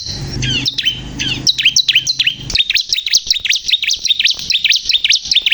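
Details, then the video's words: Ciblek kristal (bar-winged prinia) in full, chatty song: a rapid chain of high, sharply rising and falling chirps that speeds into a steady, almost continuous trill, over a faint low murmur at the start. "burung ciblek kristal gacor"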